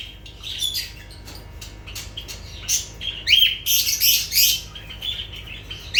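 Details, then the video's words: Lovebirds chatter with quick shrill squawks that grow busier and louder in the second half. "Sounds of lovebirds"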